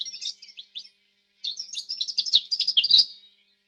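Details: Canary chirping in short separate notes, then after a pause breaking into a rich, rapid warbled trill with a few faint clicks underneath.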